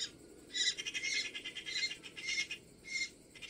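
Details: Great spotted cuckoo giving grating, chattering calls, made of several rough multi-note bursts separated by short pauses in a quiet setting.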